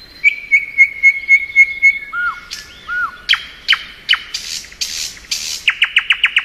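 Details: Thrush nightingale singing in spring: a row of repeated whistled notes, low arched whistles, hard whip-like clicks and buzzy bursts, ending in a rapid rattle of sharp repeated notes.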